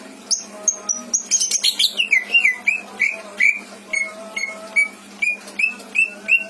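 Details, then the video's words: Caged greater green leafbird in Indramayu, Indonesia, with a song full of borrowed phrases: high sharp notes and a burst of squeaky chatter, then an even series of short downslurred whistles about three per second. "Burung cucak ijo isian mantap!!!"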